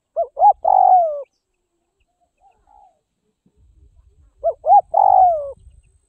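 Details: A spotted dove from northwest Vietnam, being tamed by hand-feeding, repeats its phrase twice: two quick rising notes then a long falling coo, with a faint low rumble and soft handling noise between phrases.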